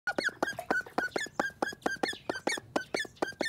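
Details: Angry call duck giving a rapid run of loud, harsh, nasal quacks, roughly two bursts per second, each short and clipped, continuing without pause through the clip.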